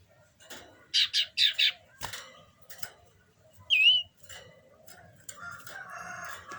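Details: Common iora in breeding condition producing a quick burst of four buzzy notes, then a single clear rising whistle, over soft rustling and a gentle background hiss.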